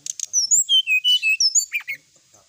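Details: Sooty-headed bulbul delivering a packed song of clear whistled phrases. The notes step downward, then climb again, ending in a few lower burry notes. The background is quiet.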